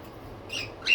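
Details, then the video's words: Pet budgerigar giving two short, bright, squeaky chirps close to the microphone after a brief quiet moment, the second rising and louder, over a faint low background hum. "Budgies || Birds 🐦 || pets|| pet birds video || Birds video for lonely bird"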